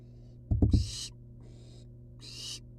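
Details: Outside a nest box, wild barn owl nestlings give rasping hisses, one soft and two loud, after a quick run of three dull knocks or thumps. A constant low hum runs underneath.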